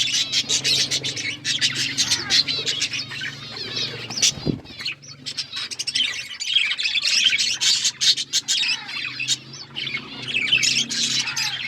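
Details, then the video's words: Colourful budgies chirp and chatter continuously, quick squeaky notes and clicking bursts piling over one another, with one brief low thud in the middle and a faint hum. "Beautiful budgies colour birds chirping sounds"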